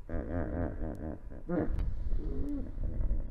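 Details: Yellow-necked spurfowl foraging near an African river, live camera recording from 19 March 2021: a series of coarse, grating notes repeated rapidly in rhythmic pulses, then a brief pause and a few drawn-out rasping sounds.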